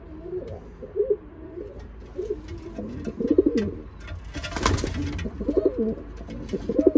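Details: Racing pigeons during pairing up; repeated deep, burbling coos in bursts roughly every second or two, with a brief rustling clatter midway.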